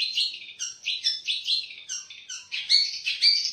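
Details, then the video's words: Kept competition Long-tailed shrike singing varied imitated song material: short scratchy notes mixed with brief rising whistles, ending with two clear high whistled tones. "Materi Cendet / Long Tailed Shike"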